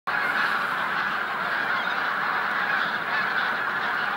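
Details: Bean geese in a flock at the Jakubov fishponds, Slovakia, on 9 March 2014: a dense, unbroken chorus of overlapping nasal honks and cackles that stays steady throughout.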